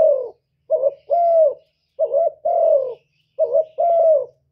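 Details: Decoy spotted dove cooing in the gù style. Each phrase is a short two-part note followed by a drawn-out hollow coo that sags at the end, given three times at steady intervals with a faint low hum underneath.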